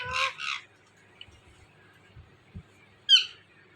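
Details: Talking Indian ringneck parakeet giving two harsh, broadband squawks in quick succession, a long quiet pause with faint low knocks, then one sharp high screech.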